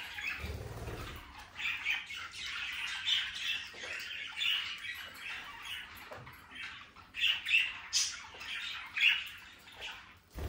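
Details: Budgerigars chattering steadily, a dense stream of short scratchy warbles and squeaks with a few sharper whistled notes standing out, over a faint low hum.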